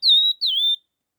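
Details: Two loud, pure whistled notes from a laughingthrush singing the quick 'hót kích nhanh' style, the first level, the second dipping and then flattening, with a short break between them.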